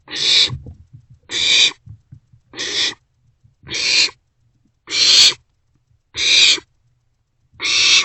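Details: Barn owl chicks passing a vole back and forth in a nest box between 1:47 and 2:06 am on 27 March 2024; a steady series of seven coarse, noisy hissing screeches, about one every 1.2 seconds, with light rustling between.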